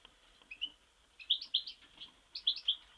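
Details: Goldfinch from Mostar giving short bursts of sweet, clear chirping notes, each burst three or four quick syllables, with brief quiet pauses between them.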